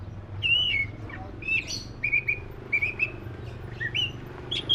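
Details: Black-breasted Oriental magpie-robin repeating clear whistled phrases, each a short slurred note, roughly every second, with a faint hum in the background.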